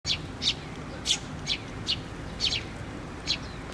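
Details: Sparrows gathering at a feeder on a post at a Tenmangu shrine, 24 June 2023, give short bright chirps, roughly two a second, spaced irregularly over a low background hum.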